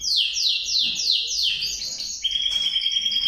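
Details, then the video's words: Male canary repeating a rapid descending sweep about three times per second in a rolling series, then switching to a steady, piercing high trill that carries to the end. "KANARYA SESİ - ERKEK KANARYA"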